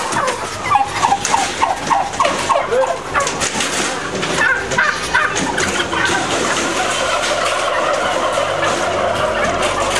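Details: Crowded turkeys in a 2010 intensive farming setting; a quick run of short, rising, yelping notes near the start stands out before blending into a dense, even chorus of many birds and broadband barn noise.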